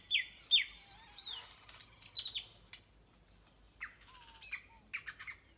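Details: Several wild birds singing in a tropical tree in Nayarit, Mexico: sharp, high, descending whistled notes and quick chirps arrive in scattered bursts, with a lower sliding whistle near the middle and brief quiet gaps between phrases.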